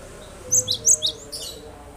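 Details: Cinereous tit song used as a lure to coax reluctant birds into singing: a quick series of four bright, high whistled notes, then a softer trailing burst, above a constant low hum.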